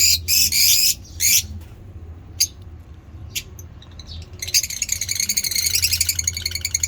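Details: Ngekek chatter from pet African lovebird mutations being fed: a few loud harsh bursts and scattered squeaks, then a fast, continuous, rattling stream of high, scratchy notes that grows steadily louder.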